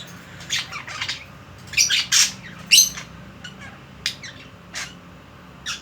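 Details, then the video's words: Pet budgerigars indoors give harsh, scratchy squawks and short chirps in irregular bursts, about a dozen in six seconds, over a faint indoor hum, while the owner coaxes them to move around and meet each other. "বাজরিগার পাখির ডাক"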